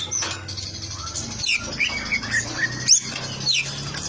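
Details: Long-tailed shrike singing actively, giving sharp chirps and quick slurred whistles, some rising steeply and some falling, in an irregular run over a steady low hum.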